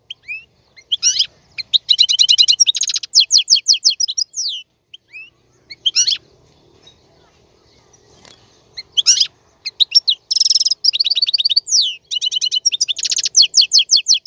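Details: Male European goldfinch song for teaching chicks: bursts of rapid twittering and buzzy trills, a quiet gap of several seconds, then renewed fast chattering phrases with rasping notes, on a clean background.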